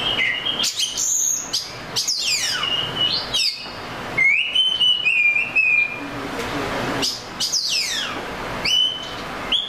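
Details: Oriental magpie-robin song rich in whistles, trills and warbles, with long sweeping downslurs, a sustained rising then level whistle, and sharp high chirps.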